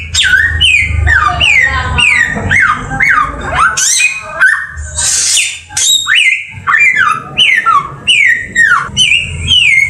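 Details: Samyong bird in full masteran song: rich, varied phrases of slurred whistles, chattering notes and one harsh raspy burst, with low rumbling in the background.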